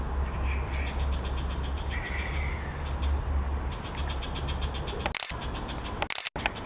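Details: Strongly territorial brown shrike recorded in 2014 at Wanqing Park, Jingmei, perched and swinging its tail in circles. It gives rapid, harsh, raspy 'ga-ga' notes repeated in quick runs over a steady low rumble of background noise.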